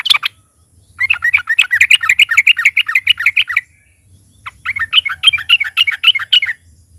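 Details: Trucukan (Yellow-vented bulbul) in loud, full song used to prompt other birds: two long bursts of quick, bubbly chattering notes, each a few seconds long, separated by a brief pause.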